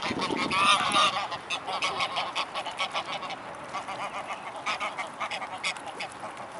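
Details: Mute swans gathered in a large flock at Blaues Wunder on 25 May 2016 in the afternoon; many overlapping nasal honks, loudest in the first second, then a rapid, uneven chorus of snorting notes.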